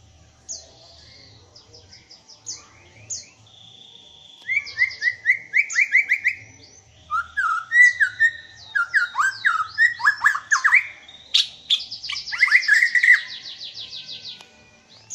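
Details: A black-tailed white-rumped shama from Aceh sings a rich, varied song of whistles, rapid trills and sharp buzzy notes.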